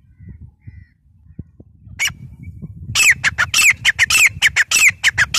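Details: Grey francolin (teetar), dated 03/10/2020: after quiet low rumble and a few faint thin whistles, loud harsh repeated notes with short rising whistled elements start midway, coming in a rapid rhythmic series of sharp bursts.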